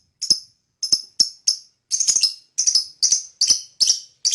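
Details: Lovebird chirping, said to stir up other birds: sharp, dry, high chirps in clipped bursts, at first spaced about half a second apart, then tighter clusters of rapid chattering notes toward the end, with no other sound.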